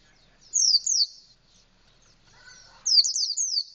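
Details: Indonesian white-eye in canary-style song, beak wide open: two short high descending whistles, a pause with faint lower chatter, then a quick run of sharp, sliding, high-pitched notes.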